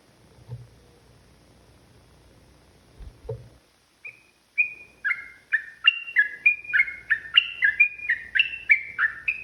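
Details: Yellow-vented bulbul fighting song beginning after a few seconds of quiet with soft knocks, then a fast bubbly series of alternating high and low downslurred notes about three per second.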